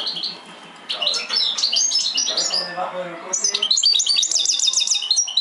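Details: European goldfinch mixed song: quick bright twittering and tinkling high notes, fast chattering runs and a buzzy repeated trill near the end.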